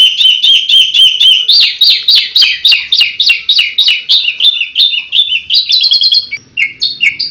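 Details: Asian pied starling's 'tembakan' song: a steady fast series of repeated slurred notes, about three or four each second, shifting in pitch, ending in looser chattering phrases.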